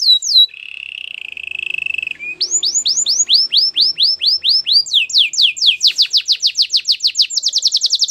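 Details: Canary singing: a falling sweep, a fine fast trill, then a long series of arched whistled notes that quicken toward the end into a rapid, even run.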